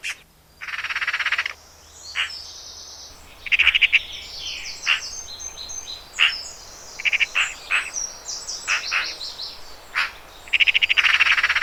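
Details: Eurasian magpie giving harsh, dry rattling chatter in bursts of about a second, spaced by short pauses, with scattered high, squeaky chirping notes between the rattles.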